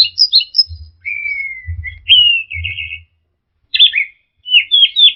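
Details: Orange-headed thrush singing, played as a lure to get stressed birds that stopped singing to sing again: quick high notes, then long clear whistles sliding downward, a pause, then twisting warbled phrases, with faint low rumble.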